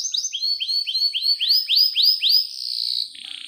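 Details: Canary song used as a prompt recording for young birds and mating, a long-roll master song: a fast run of bright, upswept whistled notes, about four a second, rising and quickening, then dissolving into a high buzzy trill.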